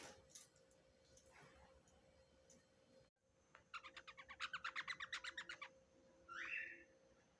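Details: Young double-collared seedeater calling indoors: after faint scratchy sounds, a two-second run of rapid raspy repeated notes, followed by a brief squeaky sound over a constant low hum.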